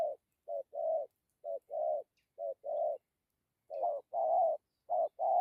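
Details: Spotted dove singing thổ-style coos with dặm and gù: pairs of a clipped note and a fuller drawn-out coo, a pause mid-sequence, then louder, more hurried paired coos.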